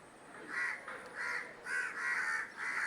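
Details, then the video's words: A crow gives harsh, rasping caws, about five in three seconds, each broad and slightly nasal, with a quiet hiss of background noise between them. "Crow Sounds"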